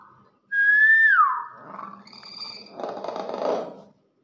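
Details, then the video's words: Captive, older Nias hill myna gives a loud clear whistle that holds steady then drops sharply, followed by a quieter harsher rasping phrase with a thin high tone. "BEO NIAS SUARA ASLI"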